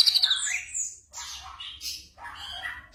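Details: Night-time training audio for caged birds with black drongo song: a quick series of high chirps, then three separate bursts of harsh, squawky chatter spread across a wide pitch range.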